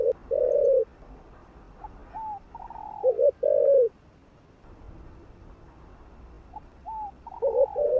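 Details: Spotted dove cooing to rouse other doves. Three low phrases of short and long coos, with higher slurred, falling notes between them.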